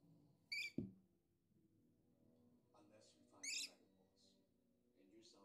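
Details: Pet rainbow and scaly lorikeets give two harsh, screechy bursts about three seconds apart, with softer chatter between and a single dull thump near the start.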